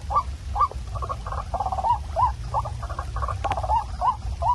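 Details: Waterhen call used as a night lure for catching birds: upslurred notes alternating with clusters of quick stuttering pulses, on a low humming background.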